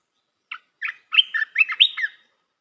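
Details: Pleasant red-whiskered bulbul song meant to teach young birds: an opening chip, then a bright cascade of rapid, rising and falling whistled notes, clean and unaccompanied.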